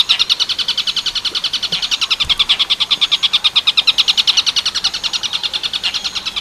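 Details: Tengkek buto werkudoro song of a long-tailed shrike, recorded clearly as training material for other birds: fast, evenly repeated high, harsh notes, roughly nine each second, swelling slightly in the middle, with faint low thumps in the background.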